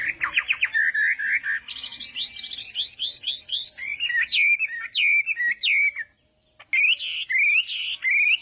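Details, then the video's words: Chinese hwamei singing in a contest as morning voice training: a fast trill, then repeated slurred whistles, a high series of rising notes and looping falling phrases, broken by a short pause before further bright whistles. "Hoạ Mi Hót Đấu /hoạ mi hót sáng luyện giọng"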